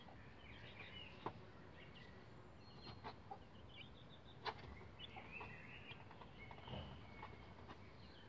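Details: Young bantam Rhode Island Red chicks, roughly 11 days old, on a chicken ladder: thin high slurred peeps scattered throughout, a few sharp taps, over steady low rumbling background noise.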